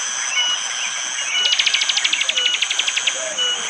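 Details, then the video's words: Bar-winged prinia singing in forest at Wonocoyo Village, Panggul, East Java, Indonesia, in the morning with rain, recorded on an Android phone: a fast run of about fifteen sharp, evenly spaced chips, over a steady high insect drone. "Tembakan burung prenjak jali!!"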